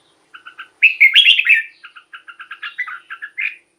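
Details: Red-whiskered bulbul song played to excite caged bulbuls: soft paired chips in short runs, then a loud rich warbled phrase of five notes, followed by a quick string of paired chirps and a rolling ending.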